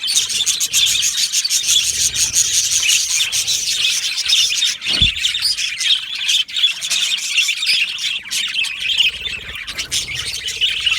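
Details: Several yellow male budgerigars in an aviary colony keep up a steady, busy chatter of shrill chirps, squeaks and harsh squawks, overlapping constantly, with one brief low thump about halfway through.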